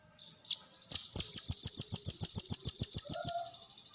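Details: Velvet-fronted nuthatch, locally called rambatan paruh merah, giving a rapid even series of sharp, high chipping notes, about three or four per second for nearly three seconds, over soft low thumps like wingbeats or fluttering.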